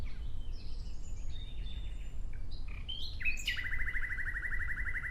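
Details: Soft, distant-sounding nightingale notes and slurs give way to a sudden loud phrase: a couple of sharp rising chirps, then a rapid steady trill of pulsed notes, with low rumble throughout.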